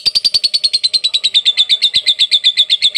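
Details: Lovebird ngekek in masteran style: a rapid string of sharp, high, metallic notes, about eight a second, evenly spaced and slightly falling in pitch across three seconds.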